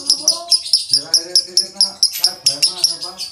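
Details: Konslet song of a male lovebird with a dry tone, short piercing high chirps fired about two to three per second in a steady run, while human speech murmurs in the background.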